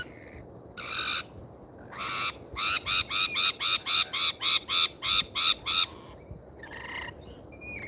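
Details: Lorikeets at a feeder in Australia: after two separate grating shrieks, a rapid series of about twelve harsh, rasping squawks repeats nearly every third of a second, followed by a few scattered screeches.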